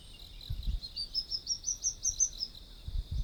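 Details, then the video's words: Sunbird in its natural habitat giving a quick series of about a dozen short, high, upward-flicked notes that climb slightly in pitch. A constant high insect drone runs underneath, with a few soft low thumps. "Sunbird Singing Sounds"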